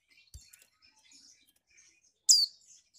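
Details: Female Mountain White-eye kept caged in Malang, East Java, calling to arouse males: faint scattered twittering and a click, then a single loud, shrill, falling note with a brief buzzy tail.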